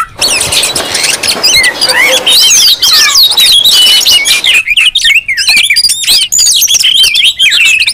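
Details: Excited Oriental magpie-robins in a lure recording for drawing out rival birds: a jumble of varied whistles, upslurs and chirps repeated almost twice a second over a faint hiss.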